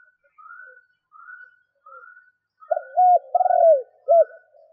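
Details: Faint repeated high whistled strokes, then a decoy spotted dove's low four-note coo, with a short note, flat hoot, long descending burry coo and short final note, used to stimulate wild doves.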